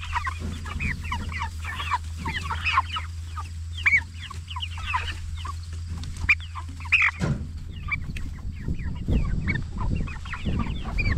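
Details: Jumbo Cornish Cross broilers aged 44 days, raised for meat; scattered sharp chirps and peeps from many birds, a constant low hum that stops midway, then rustling noise.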